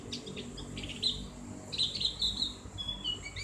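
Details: Javan grey-throated white-eye (cak gentong) in a ngriwik tutor recording for caged birds. Soft high chirps lead into a short burst of bright, buzzy twitters, then a few thin whistles, quieter than the other passages.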